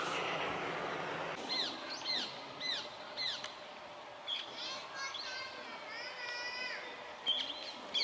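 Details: A large flock of Rose-ringed parakeets on the move, 11 December 2020, gives harsh, screechy arched calls about every half second, overlapping into chatter, after an opening burst of rushing noise.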